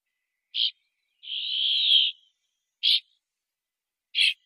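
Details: A Brambling (Fringilla montifringilla) sings its drawn-out, buzzy wheeze, nearly a second long, set among three short, harsh notes. Nothing else is heard.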